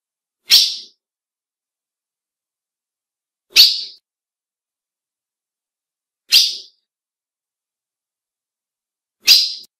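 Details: Female ultramarine grosbeak, whose call males recognise and react to: four short, buzzy, downward chip notes evenly repeated about every three seconds in otherwise silent surroundings.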